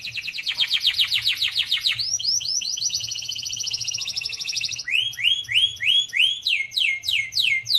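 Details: Canary song made of rapid high trills that change section by section: a fast buzzy roll, a steady high trill, then slower rising swept notes repeated about twice a second.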